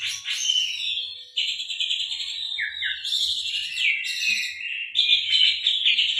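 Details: Oriental magpie-robin with canary-like song material, played to prompt other birds: rapid twittering trills, a pair of short downslurred whistles, shifting high chatter, ongoing without pause.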